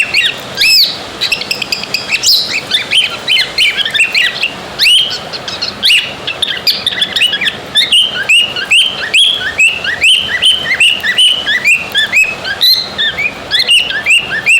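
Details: A male pet budgerigar, habitually mimicking cockatiels, chirps rapidly in a run of sharp, high cockatiel-like notes.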